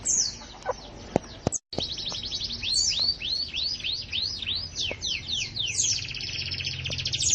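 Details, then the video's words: Lively gacor canary song: a rapid run of arched, high whistled syllables repeated in a rolling series, after a few clicks and a brief pause. "Kicau Burung Kenari Gacor"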